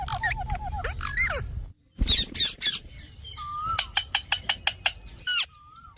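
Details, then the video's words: Talking parrot in a compilation: wavering chirps and harsh squawks, a brief silence, loud raspy bursts, then a drawn-out whistle and a row of rapid sharp clicks. "Parrot Talking"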